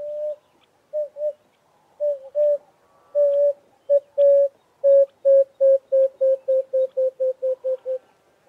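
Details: Emerald-spotted wood dove from the Southwell road area: soft low hollow coos, starting slow and spaced, then quickening into a rapid even run of short notes that fades at the end, on a clean quiet background.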